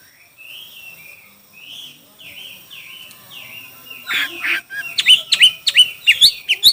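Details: Chinese hwamei competing in song: soft slurred whistles open the phrase, then louder sharp notes repeat rapidly in an accelerating series.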